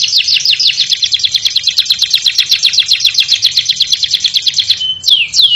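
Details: Caged canary, AFS type, singing tight, rapid song with Javan whistling thrush phrases: a long run of quick repeated chattering notes, then a held whistle and two swooping downslurred whistles.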